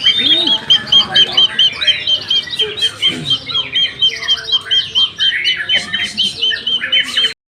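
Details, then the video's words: Young white-rumped shama in a hanging cage repeats a crisp, high chip note in long even series, about two per second, woven through fluting whistles and chatter before cutting off abruptly. "murai batu gantangan muda pastol"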